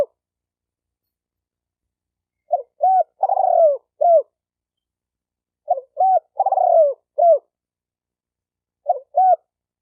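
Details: Cooing spotted dove, the sound used to stimulate males and females. Three phrases come roughly every three and a half seconds. Each is two short hoots, a longer rolling coo and a final short note, with quiet gaps between.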